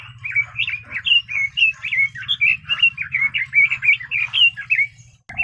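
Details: Red-billed leiothrix singing a lively, continuous run of about twenty short, powerful warbled notes, rising and falling quickly over five seconds, with a steady low hum underneath.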